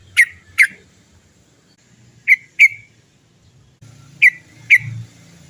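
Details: Trucukan, or yellow-vented bulbul, giving the 'cok cok' notes meant to prompt other birds to sing: loud, clipped chips in pairs, three pairs spread over several seconds, with a faint low hum.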